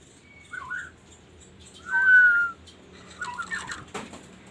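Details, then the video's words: Magpie-robin song with separate warbled phrases: a brief high thin note and a burbling whistle, a louder steady whistled note that drops at its end, then another warbling phrase, with a sharp click near the close. "KASO KASO Berbunyi MURAI"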